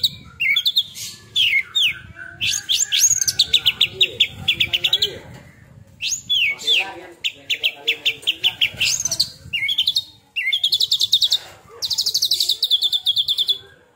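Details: Kacer, an Oriental magpie-robin that has molted only once, in fiery 'tembakan' song: long bursts of rapid, buzzy, high repeated notes broken by upward-swept whistles and short pauses.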